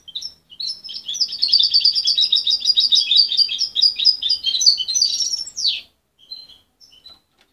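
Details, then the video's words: Young goldfinch hybrid, parent-raised rather than hand-reared and separated from its mother at 23 days, still muddling its song: a dense, fast twittering stream of high chirps and trills for about five seconds, ending in a sharp descending note, then a few soft calls. "Mixto de jilguero joven"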